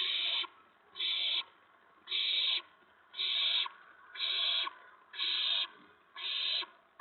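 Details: Owls at a nest with owlets on the evening of April 19, 2017, around 8 PM, as adults bring in food; harsh, breathy hissing bursts of about half a second, repeated steadily about once a second, eight in a row.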